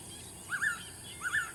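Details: Two clear double-note whistles from a Blue-winged pitta, each with a brief rising first note running into a brighter second note, spaced about 0.7 seconds apart against an even high-pitched hiss.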